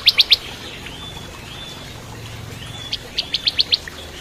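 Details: Bar-winged prinia (ciblek kristal) in lively song, used to train magpie-robins. Three sharp high chips open, a faint thin whistle follows, then a quick burst of five or six clipped notes.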